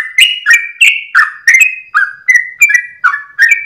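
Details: Sooty-headed bulbul singing the long 'ropelan' style at dawn: loud, rich whistles tumbling in rapid succession, each phrase sliding between two pitches, about three per second, with nothing else audible.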